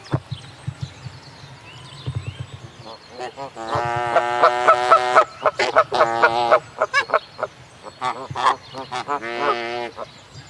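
Canada goose giving loud, nasal honks in quick bursts, several per second at times, with a low background hum.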